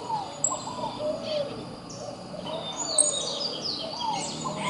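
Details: Scaled doves courting as a pair, voicing mellow low coos that rise and fall in brief arched notes, repeated at intervals, while faint high twitters of other birds sound above a noisy rural background.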